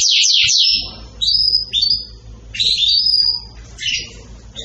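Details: Excited canary giving short bursts of song: fast down-swept notes followed by separate bright whistled phrases with short pauses between, over a faint low background hum.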